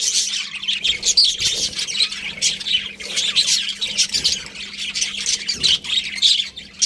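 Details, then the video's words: Budgerigars in a group keep up rapid, scratchy chirps and squawks in irregular bursts, a busy flock chatter with a faint constant hum in the background. "Cute Budgies Chirping Sounds"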